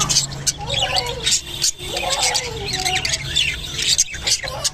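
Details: Japanese budgerigars during mating: dense, continuous warbling chatter of rapid squeaky sweeps and clicks, high and busy throughout, with a steady low hum underneath.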